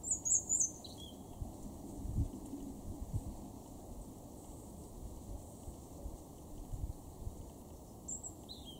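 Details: European robin in a garden in Weener, East Frisia, far northwest Germany, October 2022: thin, very high, trickling phrases, with a quick burst at the start and another near the end, over a steady low rumble.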